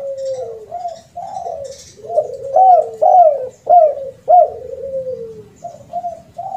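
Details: Spotted dove, tekukur, lure call with the rare kuk 2 and kuk 3 endings: low throaty coos repeated in a rhythmic phrase, some notes rising then sliding down, a long drawn falling coo mid-phrase, fairly clean background.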